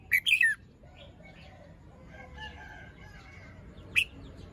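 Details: Red-whiskered bulbul in a cage, morning, feathers fluffed during an unfinished moult; an opening trio of loud, falling whistled notes, quieter chatter of other birds behind, and one lone strong note later.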